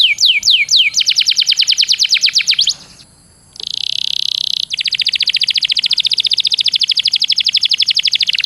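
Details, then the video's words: Canary song played as a master for training contest canaries: a few downslurred whistles lead into a long fast trill, a brief pause, a buzzy burst, then an extended rapid even roll. "Suara masteran burung kenari yg di sukai para jurii bikin kenarimu jadi juara..!!"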